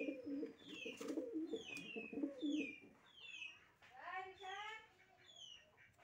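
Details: Running jhorna certain pigeons at a loft in Dhamrai, Dhaka: low throaty cooing pulses in the first three seconds, over many small birds' high descending chirps and twitters, with a loud harmonic squawk near four seconds.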